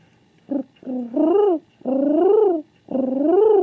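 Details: Male king pigeon indoors, searching for another pigeon: four harmonic, pulsing coos, each climbing then sagging in pitch, the last three long and drawn out, separated by brief silences.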